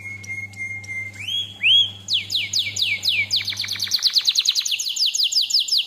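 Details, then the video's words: Canary singing a lure song for training other canaries: a long thin whistle, two rising slurs, then a rapid repeated series of downward-swept chirps. A low hum fades midway. "KENARI DENGARKAN SAMPAI HABIS, PANCINGAN MASTERAN, SUARA BURUNG CUIT CUIT"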